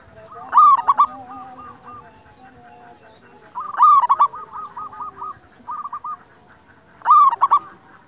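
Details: Local zebra dove singing, kept as a tutor and lure recording to draw doves in and stir quiet birds. Three loud rolling cooing phrases, each ending in quick stuttering notes, come about every three seconds, with fainter doves trilling between them.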